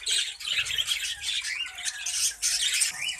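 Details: A breeding colony of budgerigars keeps up steady high-pitched chatter, with scratchy squawks and short rising whistles overlapping throughout, dipping briefly twice.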